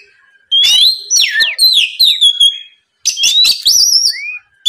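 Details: Oriental magpie-robin song used to bait a rival bird: two loud phrases of sweeping whistled slurs and rasping notes, separated by a short pause, ending with a falling whistle.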